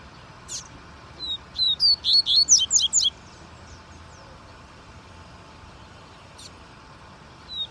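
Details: Double-collared seedeater singing one quick phrase of high, thin whistled notes that slur up and down, about a dozen notes over two seconds, then stopping; a faint steady hum of traffic runs underneath throughout.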